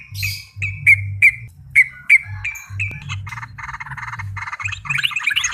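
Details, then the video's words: Yellow-vented bulbul in full voice, giving a series of clear whistled notes, each sliding downward and repeated about every third of a second, then breaking into quick scratchy chatter, over a low hum. "burung trucuk gacor"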